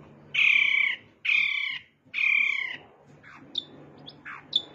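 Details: Long-tailed shrike singing, with bar-winged prinia mimicry among its phrases. Three harsh, nasal, grating rasps about a second apart give way to softer thin chips and short squeaks, over steady low background hum.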